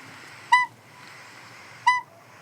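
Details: Northern Pygmy-Owl call played from a phone, two short, clear, mellow toots about a second and a half apart over faint hiss; this songbird-hunting owl's call rallies songbirds into a defensive alliance.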